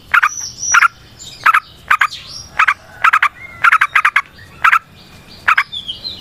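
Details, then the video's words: Yellow-vented bulbul in a long, rapid 'ropel panjang' style, recorded as natural forest sound and used as a lure to make other bulbuls sing. Short bursts of fast, rattling notes repeat with pauses between, plus faint higher whistles. "Trucukan GACOR ngalas ROPEL PANJANG suara alam AMPUH buat pancingan"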